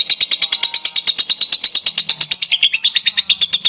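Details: Pet lovebird in full long-duration song used to prompt other lovebirds: a rapid series of sharp, buzzy high notes, roughly eight per second, delivered without a break, with a faint low hum in the background.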